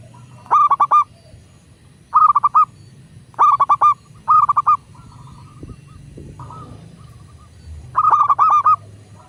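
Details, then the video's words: Local zebra dove, master recording to prompt doves to call: five bursts of quick, rolling coo phrases spaced one to two seconds apart, with soft drawn-out cooing notes between. "Perkutut lokal gacor pancingan agar burung perkutut cepat GACOR dan BUNYI"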